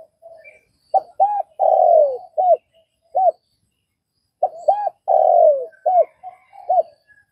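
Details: Vietnamese spotted dove cooing: two phrases of soft, mellow, low hoots, each a few short notes around one drawn-out, falling coo, separated by about two seconds of silence.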